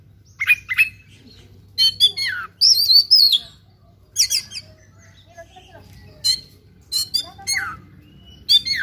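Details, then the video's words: Oriental magpie-robin in fighting mood, singing in bursts of sharp whistled notes and buzzy rapid trills, phrases falling in pitch, separated by short pauses; faint low hum underneath. "KACER TARUNG NGOBRA FULL ISIAN"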